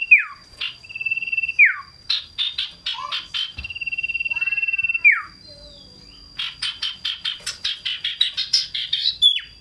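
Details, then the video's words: Scarlet-headed flowerpecker (cito sirdum) singing loudly and shrilly while hopping around; a busy run of steeply falling slurs, flat buzzy trills and quick high clicking notes with hardly a gap. "Cito sirdum gacor ngobra suaranya tiada duanya terbaru"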